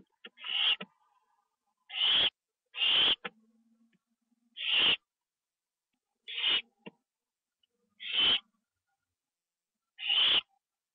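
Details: Owl heard at 1:52 AM, 25 September 2011, while a treat is eaten inside, on a live camera: seven rasping hissed screeches at uneven intervals, two coming close together, with faint low murmurs between.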